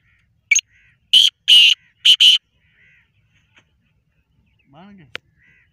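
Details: Eight-month-old black francolin calling: a click, then a loud grating rasping phrase of four harsh notes, followed by a faint low hum and a brief sharp tick.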